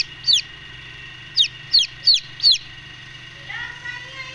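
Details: Golden Misri chicks being brooded give sharp, high descending peeps, one single then four in quick succession, followed by a softer lower trailing note, over a steady low hum.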